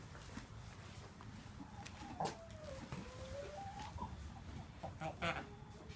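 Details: Free-range buff Brahma hen, three years old, in a mixed flock, giving a strange croupy, bark-like cough: two short harsh bursts amid softer drawn-out tonal clucks and steady farmyard background noise.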